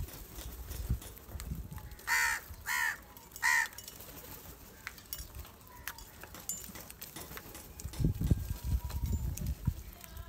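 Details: House crows in an angry gathering around rice food give three quick, rasping caws in close succession, followed by quieter rustling and low thumping sounds.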